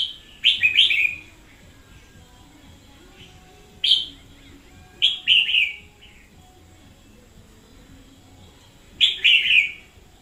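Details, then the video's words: Red-whiskered bulbul decoy bird singing very vigorously, 2021: bright, bubbly warbled phrases around upper-middle pitch, given in bursts of two to three quick notes with pauses of about three seconds between groups, over a quiet background. "Chào Mào mồi chóe cực sung"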